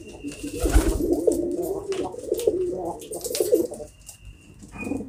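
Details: Domestic pigeons make soft, burbling low coos in a steady run, broken by a sharp knock near the start and light clatter.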